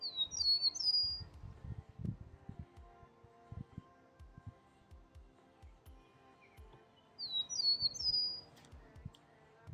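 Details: Eastern Meadowlark in grassy fields at a spring conservation area on a sunny day gives two clear, slurred whistled phrases, high and sweet, sliding downward, about seven seconds apart, over low rumbling and thumping noise.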